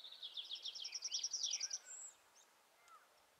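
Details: Yellowhammer on heathland at Uddel, May 2013, delivering a rapid run of about a dozen high, slurred, downward-sweeping chips that ends in a lower trailing note, followed by faint distant chirps.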